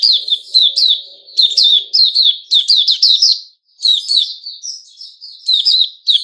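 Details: Male sooty-headed bulbul singing, 10 July 2021: rapid bursts of bright, chirpy warbled notes in quick phrases, with a short pause midway before the chattering resumes.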